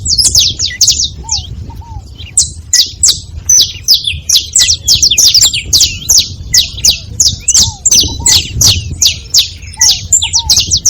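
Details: A group of saffron finches making noise together, pouring out quick, high, sharp chips about three a second in uneven bursts, with brief lower slurred notes scattered beneath.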